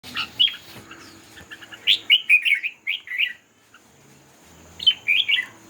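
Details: Red-whiskered bulbul singing in a contest, showing off well: clear bursts of bright, warbled whistled notes, a run of five quick liquid phrases in the middle, then another short warbling phrase after a pause.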